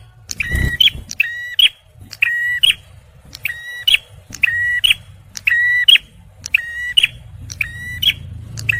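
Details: Energetic male bar-winged prinia song, used as a lure for stressed birds: a steady series of buzzy, flat notes bracketed by sharp clicks, about one a second, over soft low rumble and an early thump.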